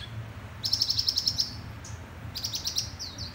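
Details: A bright red sunbird sings a quick run of about eight thin, high ticking notes, pauses, then adds a second sweeter twittering phrase over a low background rumble.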